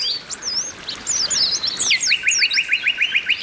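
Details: Oriental white-eyes, a female calling to arouse males: a tangle of high, twisting whistles and chirps for two seconds, followed by a steady string of about ten short, rising notes.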